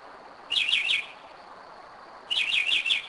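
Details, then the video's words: Northern mockingbird singing at 2am in Kennesaw, Georgia, in 2011, a bird returning to the same spot for years: two short bursts of rapid, warbled high notes, each under a second, separated by a quiet pause. "Mockingbird 2am 2011"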